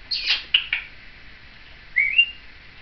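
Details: Seven-year-old female Timneh African grey parrot, kept as a pet, chattering along with her caregiver: a burst of short whistled squeaks, then two clipped chirps and a rising two-part whistle, with a person saying hello.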